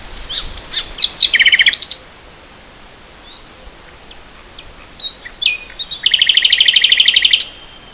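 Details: Common nightingale (Luscinia megarhynchos) singing in spring 2014: two rich bursts of whistles and chirps, each ending in a fast rattling trill of rapidly repeated notes, separated by a pause.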